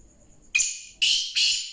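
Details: Black francolin calling: three loud, harsh, rasping notes in quick succession, the first separated from the next two by a short gap, over a faint steady high-pitched whine.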